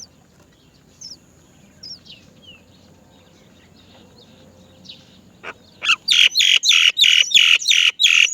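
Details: Great myna chicks, many of them, wait for their mother to bring food. Faint high squeaks come first, then from about six seconds a loud run of harsh, raspy calls bursts out in quick, even succession.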